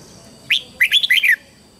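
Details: Caged red-whiskered bulbul used as a lure bird, singing to call wild birds in to fight: one sharp rising note, then a quick run of four bright, warbled whistled phrases.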